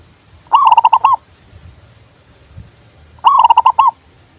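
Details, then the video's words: Zebra dove singing, played to encourage reluctant doves and for trapping: two loud, quickly stuttered purring coo phrases about three seconds apart, each ending in a rising-falling note, quiet between. "TERAPI PERKUTUT MOGOK BUNYI PALING TOP"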